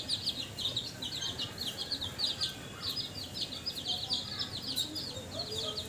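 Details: Newly hatched baby chicks raised at home peep constantly, a dense stream of short, high, thin cheeps overlapping from several birds, over a steady low background hum.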